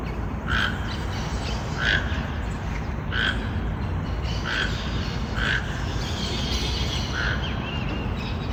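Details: Toucan calling in the forest with a series of six short, rough croaking notes repeated roughly every one to one and a half seconds over a constant low hiss and rumble.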